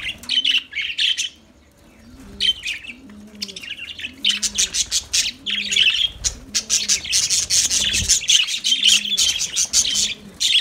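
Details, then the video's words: Lovebird singing: long runs of shrill, busy twittering and squeaks growing denser toward the end, with gentle repeated cooing below. "Lovebirds Sounds Lovebirds Singing"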